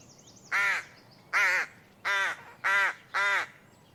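A rook gives five harsh, nasal caws, each brief and slightly downslurred, spaced well under a second apart, with nothing else audible.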